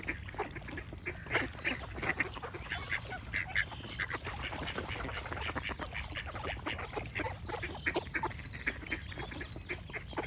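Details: Many ducks quacking together in a dense, continuous chorus of short nasal calls overlapping throughout, with a steady low rumble underneath.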